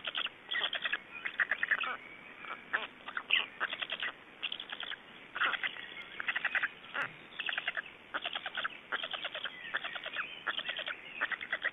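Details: Black storks at an Estonian nest during feeding, 26 May 2012 at 19:51: rapid raspy, chattering bursts in quick irregular runs, repeated throughout with brief pauses.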